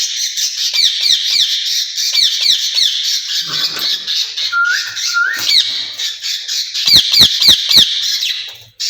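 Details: Two caged rose-ringed parakeets, described as talking to each other in Urdu or Hindi, give continuous shrill screeches repeated about three to four times a second, with two brief rising whistles in the middle.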